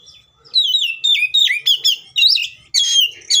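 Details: Agitated Oriental magpie-robin fighting song used to goad other magpie-robins into singing: rapid, loud, rich whistled phrases sweeping up and down, closing with harsher, buzzier notes.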